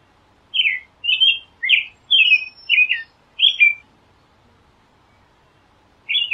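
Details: American robin caroling: six short whistled phrases at a steady pace of about two per second, alternating rising and falling slurs, then silence and a final phrase.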